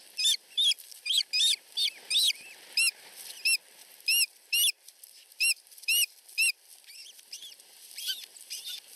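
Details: Osprey nestlings less than a week old in a Finnish nest, begging from the mother as they compete for food. Bright, high, upslurred chirps come in uneven bursts, then thin out into quieter scattered notes over soft background hiss.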